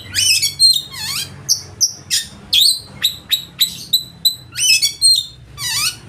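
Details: Oriental magpie-robin singing a loud, lavish repertoire to make opponents sing and fan their tails; rhythmic series of piercing whistles and deep downslurred swoops, about three notes each second.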